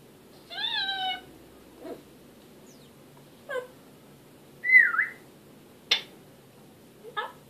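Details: African grey parrot indoors producing a harmonic, speech-like phrase, several short clicks and pops, and a loud looping whistled note that swoops down and back up.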